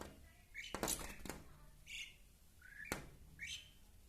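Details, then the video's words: Indian pied myna reacting to its mirror image in reflective window glass: four short, rising, squeaky whistled notes, interspersed with sharp knocks of the bird striking the glass. "Pied Myna attacks mirror image, making different sounds."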